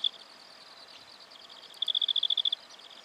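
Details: Black-fronted dotterel recorded in Victoria, Australia, October 2011, giving a quick run of bright, evenly spaced high ticks lasting under a second, with fainter ticking before it.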